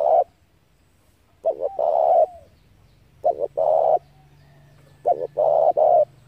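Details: Spotted dove lure for trapping doves: four repeated phrases, each quick double hooked notes then a long coarse coo, with a low steady hum beneath the later phrases.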